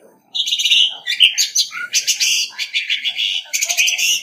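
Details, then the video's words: Competitive singing of an orange-headed thrush: a continuous dense run of sweet whistles mixed with harsh rattling and buzzy notes, with hardly any pause, clean recording without other noise. "Tiếng chim Hoét lửa mồi hót đấu không tạp âm | Orange-headed Thrush | นกเดินดงหัวสีส้ม"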